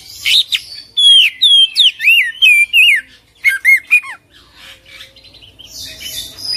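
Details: Full isian, ngerol gacor song from an Oriental magpie-robin. Rapid, rich whistled notes swoop up and down in a tight string of about eight phrases, then a short cluster of falling whistles and a fading hiss.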